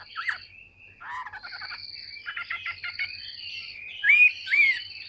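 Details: Caged, tame Chinese hwamei of large build, a prolific singer, delivering short rattling note clusters and buzzy phrases, then loud upward-swept whistles near the end, with a constant thin high-pitched whine in the background.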